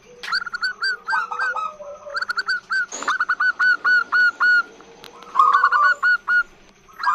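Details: Calling female zebra dove luring males: rapid series of sharp, evenly spaced whistled notes, about four per second, broken by rolling trills and a brief noisy burst, over a steady pulsing hum.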